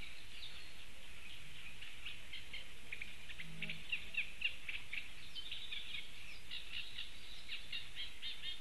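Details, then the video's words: A Eurasian reed warbler in Latvia, 4 June 2015, sings a steady, chattering stream of scratchy repeated notes, some churring and some whistled, over a low rumble of wind. "European Reed Warbler"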